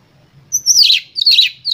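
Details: Oriental magpie-robin lure song given with full emotion to stir other birds: two loud, harsh, descending rasping phrases that begin with high thin whistles, over a faint low hum.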